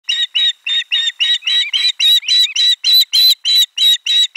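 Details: Osprey at nest number 4 on 12 July 2022, around a lunchtime fish delivery: a fast, steady run of sharp, whistled chirps, about three or four each second, each one bright and ringing, carrying on without pause.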